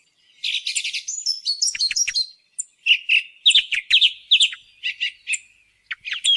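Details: Song thrush call played as a hunting lure, a varied run of loud whistled phrases, many repeated two or three times, interspersed with high squeaky notes and sharp clicks, with no other birds or background noise.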